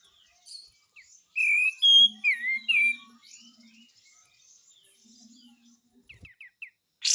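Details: Lemon-bellied White-eye in active song: a short burst of sweet whistled, warbling notes that slide up and down, then a long quiet pause with faint low hum, ending in a few tiny rapid chips.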